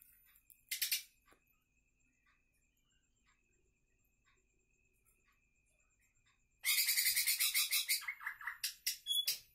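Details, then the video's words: A wild-caught Greater green leafbird, very vocal: a sharp burst, a pause, then a loud run of bright, high chattering notes about three per second, with a faint steady whine behind. "Cucak ijo super masih liar hasil tangkapan paling gacor"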